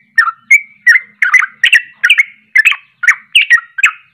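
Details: Sooty-headed bulbul (trucuk) singing agitated 'ropelan' phrases meant to provoke other bulbuls: rapid bursts of short, slurred whistled notes repeated about every third of a second, with no other clear sounds.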